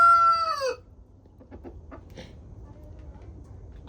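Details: Homestead chickens enjoying a twenty-degree warmup to 37 degrees: a loud harmonic rooster crow trails off with a falling ending in the first second, followed by scattered soft clucks and short calls from the flock.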